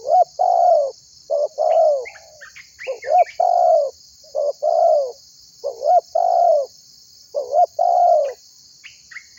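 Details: Lively tekukur calling to prompt other birds to join in, used as a trapping lure: a run of low, hoarse two-part coos, each ending in a drawn-out falling note, with faint higher chirps from other birds between phrases.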